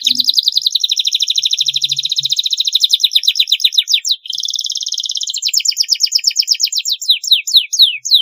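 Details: Long canary song used to train young birds: a rapid pulsed trill, sweeping repeated whistles, a smooth rolling phrase, then slower loud swept notes, with brief low sounds.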